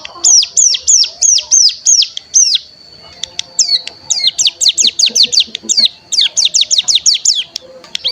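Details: Cigun (ciblek gunung) decoy recording used to provoke other cigun into singing and trilling. Rapid series of high, rising whistled notes, a short pause, then a faster run of upswept notes, with a faint steady high tone behind.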